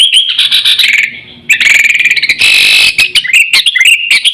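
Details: Sooty-headed bulbul lure call for attracting birds and training pet birds: dense, rapid bubbling whistles with buzzy rattling passages, a short drop in volume, then renewed loud chattering.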